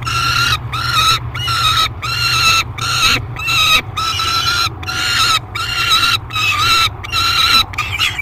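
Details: Screaming peregrine falcon being fed in the Great Spirit Bluff nest box, July 3, 2021: a steady series of rasping, harmonic screams, each under a second long, over a low continuous drone.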